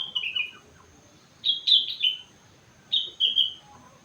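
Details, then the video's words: Sooty-headed bulbul, a four-month-old bird singing imitations of other birds' songs: short bright whistled phrases with slurred, falling notes, in two bursts separated by pauses. "Burung Kutilang gacor isi rengganis cucak wilis"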